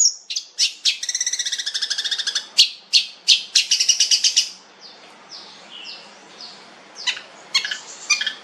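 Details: Long-tailed shrike (cendet), said to be fierce and rich-voiced, opening with a rapid buzzy trill and harsh notes, then sharp high chirps fading into softer thin whistles.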